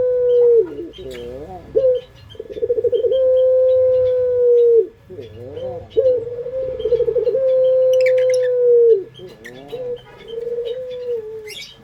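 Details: Barbary dove (puter pelung) sung as a lure: loud, long sustained low coos repeated about every four seconds, each preceded by a rolling, wavering phrase, with light bird chirps and brief rustles between.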